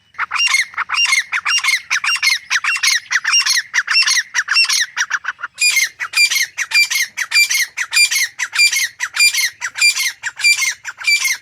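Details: A wild grey francolin pair in forest habitat, male and female calling; continuous loud, harsh, rasping squawks in a steady rapid rhythm of nearly two notes per second throughout.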